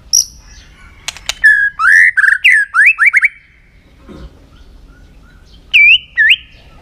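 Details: White-rumped shama singing a varied, many-voiced song to train and excite other shamas: sharp clicks, then a quick string of looping whistled notes. After a pause come two bright upslurred notes.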